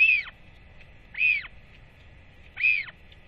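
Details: Northern royal albatross chick calling as both parents come home to feed it after a rangers' weight check, on 8.10.24; three loud, arched, rising-then-falling whistled calls roughly every 1.3 seconds against a quiet background.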